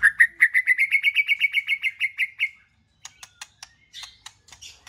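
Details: Song of a white-rumped shama, played to get a pet bird singing: about fifteen quick repeated whistled notes rising slightly in pitch, then sparse dry clicks and a faint high warble.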